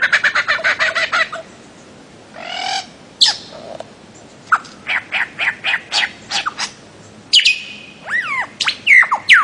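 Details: Bird-of-paradise singing: a fast burst of harsh, buzzy repeated notes, then a pause and a loud string of sharp clipped calls ending in upward-slurred whistles.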